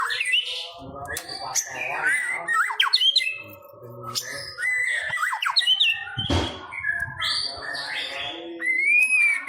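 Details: White-rumped shama (murai batu pastol) song played to stimulate a kept bird to sing: a dense, varied medley of whistles, rising and falling slurred notes, harsh squawks and chattering phrases, with a low thump near the middle.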